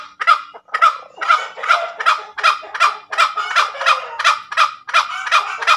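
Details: A tame junglefowl cackles its ngekek call, a quick chain of coarse, honking notes near three per second, each note loud and clear.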